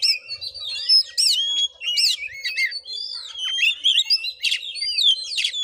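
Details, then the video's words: Fighting song of an Oriental magpie-robin, used as a provoking lure, in Padang Gading village, Bengkulu, Indonesia; rapid stream of rising and falling whistles, clicks and harsh notes without pause. "Kacer tarung|pancingan Kacer gacor|Kacer Konslet|burung Kacer"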